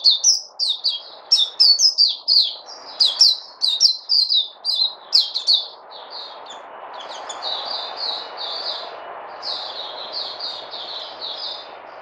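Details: White-eye (puteh), recorded 29 August 2020, sings rapid high chirps, each a short downslurred note. The notes run in a loud burst, then the chirping continues softer and more evenly, with a faint low hiss beneath.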